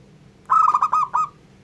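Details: ['Local zebra dove song used to provoke other zebra doves: one brief phrase of about five quick, mellow cooing notes run together, over a faint low steady hum.']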